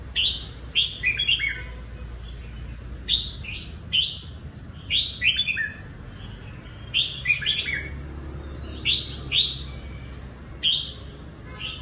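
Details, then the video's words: Decoy Red-whiskered bulbul used for trapping, from Cao Bằng, Vietnam, kept for three seasons, gives bursts of quick, bright chirped phrases with rising and falling notes, spaced by short gaps, against a faint low rumble. "CHÀO MÀO BẪY ĐẤU VIP CAO BẰNG"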